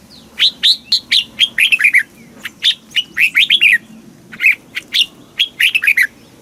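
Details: Thai caged red-whiskered bulbul delivering song in the southern master phrasing, meant to rouse caged birds and train chicks: lively repeated phrases of sharp, warbling whistled notes, three runs with short gaps between.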